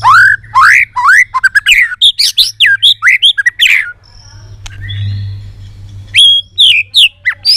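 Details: White-rumped shama singing with great excitement in varied voices. Rapid series of loud rising whistles and chips, a short pause with faint whistles and a click, then another burst of upswept notes.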